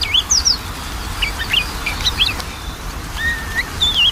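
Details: Magpie-robin song played to coax a lazy singer into singing, a varied run of sharp chirps, quick whistled twists and a long level whistle near the end, with soft background hiss.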